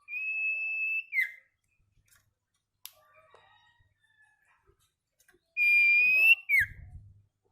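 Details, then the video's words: Sirtu singing in the ceplekan style, a training recording for caged birds: a long flat whistle over a second, a brief downward flick, a pause with faint ticks, then another long whistle with a falling tail. "sirtu paud ceplekan | masteran burung sirtu"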